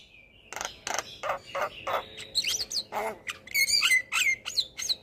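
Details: Javan myna in a cage, training song for birds that seldom sing: a thin whistle, then a run of rough clicking chatter and bright descending whistled notes repeated about three times a second.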